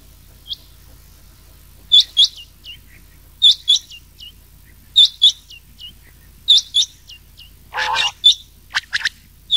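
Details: Rain quail calls in a recording mixed with grey quail, made as a lure for night-time hunting in summer. Sharp whistled notes, mostly in pairs, repeat every second or two, with a brief harsh rasp near the end.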